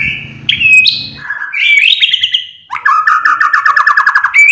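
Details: White-rumped shama song used as a trigger to make other birds sing: clear whistled notes, rising slurs, then a fast buzzy rattling trill and a final high whistle.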